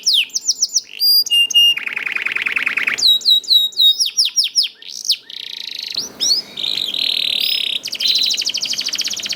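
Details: Canary youngster song used as a prompt for other canaries: clipped trills and buzzy rolls, then a stretch of curving whistled notes before dense high warbling trills.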